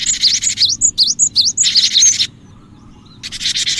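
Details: Cinereous tit in a lure recording for attracting other birds: a rapid string of sharp high whistled notes overlapping a rasping buzz, a short quiet gap, then another buzzy burst.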